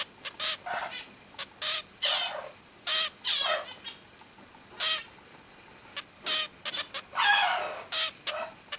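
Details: Two-week-old male cockatiel chick attempting to sing like his father: a steady string of short, scratchy, buzzy notes, some with bending rising-and-falling tones, including a longer wavering rasp near the end.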